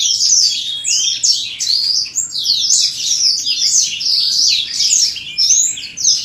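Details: Black-throated canary in a cage, recorded during mate pairing: energetic, unbroken high warbling with rapid trills and quick slurred chirps, steady in loudness for over six seconds.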